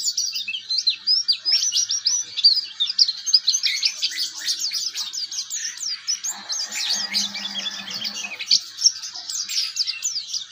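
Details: Juvenile oriental white-eye learning to sing, a tutor recording for kept white-eyes: long rapid run of high chirps and twittering trills without pause, with a faint low hum partway through.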